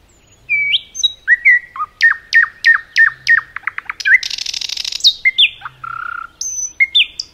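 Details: Common nightingale in song in a forest, opening with whistled upslurs, then a run of loud repeated descending notes, a quick staccato burst, a dense buzzing rattle and more varied whistles.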